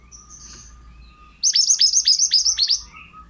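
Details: Pied bushchat singing briskly for a bird-training recording: six ringing, downward-curving whistles in quick succession over a faint steady hum and soft background chirps.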